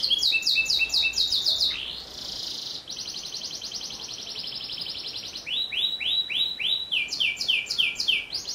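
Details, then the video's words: Canary with a long rolling, sharp song, used as tutor material: swept high notes, a brief harsh burst, a long fine rapid trill from three to five and a half seconds, then loud looping whistled sweeps. "SUARA KENARI GACOR ROLLLL PANJANG Cocok buat Masteran Burung... SUARA TAJAM"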